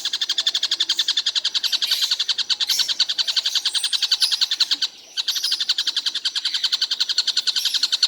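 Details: A nonstop Stork-billed Kingfisher produces fast, buzzy repeated notes at about three and a half per second, broken by one brief pause near the end before the chatter continues.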